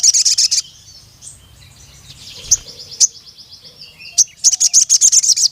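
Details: A Ruby-cheeked sunbird calls a rival male in a cuit cuit pattern. A short burst of high rapid chirps is followed by scattered softer notes, then a long fast run of sharp, thin chirps.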